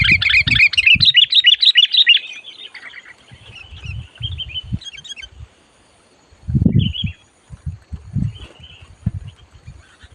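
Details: A sooty-headed bulbul being lured for trapping gives a fast run of rich, rapid chirps. These fade into a faint twittering trill, and sparse calls follow. Low rumbling knocks recur in the background.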